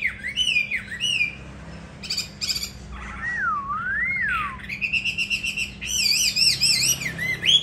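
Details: Caged, trained fighting Hwamei from Hanoi, Vietnam, delivers varied song: short bright phrases, a clear swooping whistle that rises and falls, then rapid repeated ringing notes.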